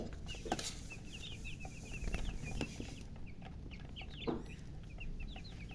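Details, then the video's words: Loud chirping from newly hatched chicken chicks: dense runs of brief high peeps from several birds, with occasional knocks and clicks and a low background rumble. "Tot Murgi chicks chirping sounds Just Born Baby Gallina FRACAS Chicks Piar Loudly Sound"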